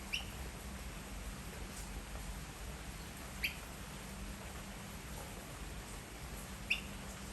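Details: White-breasted waterhen chick hidden in a bush in the rain, waiting for its mother, gives three short, high chirps a few seconds apart over a steady rain hiss and low hum; 9:24 AM, 26 August 2021.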